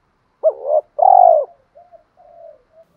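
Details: Spotted dove in the "đồng pha" voice style, cooing to call females. A sharp hooked note, a longer buzzy coo near the same low pitch, then soft trailing murmurs. Quiet background.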